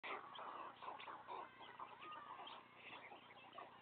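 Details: White stork chicks, three young on the nest being fed by their father; dense chatter of short clucking syllables runs continuously with a steady low hum underneath.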